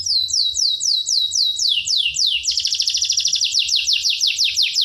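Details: Canary song used as a tutor recording to make young canaries sing often and persistently: a run of descending whistled sweeps about three per second, shifting into a faster, denser rolling trill of downslurred notes.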